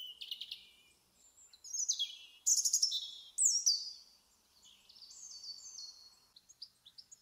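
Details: European robin in a UK garden giving a varied, high, liquid song: thin sweeping whistles, rapid descending slurs and tinkling trills in separate phrases with short pauses, all clear against quiet surroundings.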